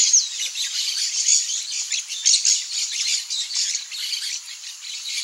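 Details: Tiriba-fogo, the blaze-winged parakeet: continuous harsh, shrill chattering squawks, overlapping and uneven, with a few sharper peaks and no pauses.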